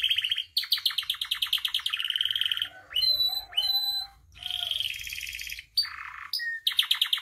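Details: Canary song played to train and provoke captive canaries: rolling rapid trills at varying pitches, broken by rising whistled swoops and short buzzy bursts.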